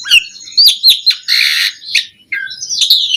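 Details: Song of an Asian pied starling, a master recording for training birds: sharp chirps and whistled upslurs, a harsh buzzy rasp in the middle, then rising whistles.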